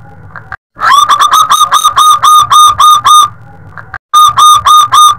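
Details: Local zebra dove with a big voice, in the 'luk panjang' long-ending style, used for luring and for tutoring other birds. Strong, rapidly repeated cooing notes come in one long phrase and then a shorter one after a brief silence, with faint low background hum.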